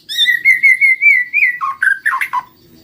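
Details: White-rumped shama lure song: a sustained pulsing whistle that rises slightly, then breaks into quick lower slurred notes.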